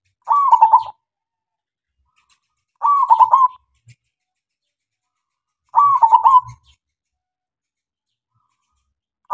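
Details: Local zebra dove (perkutut lokal), lure song to set other doves singing: three bubbling, stuttering coo phrases about every three seconds, with silent pauses and faint low sounds.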